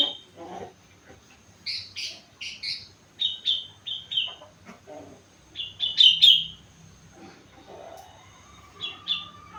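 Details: Young sooty-headed bulbul, four months old, delivering imitated song: a series of short sharp whistled chirps in quick groups, then a louder bright phrase and a few trailing notes.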